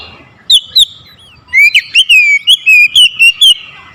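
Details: Oriental magpie-robin singing forcefully to challenge a rival: two short whistles, then an unbroken string of loud, bright, warbling whistled notes repeated about three times a second.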